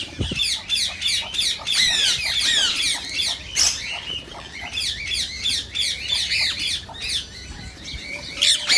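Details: Rose-ringed parakeet calling to stimulate singing and mating: rapid shrill screeches and chattering notes in irregular bursts of about three per second, loud and continuous, with a few low knocks.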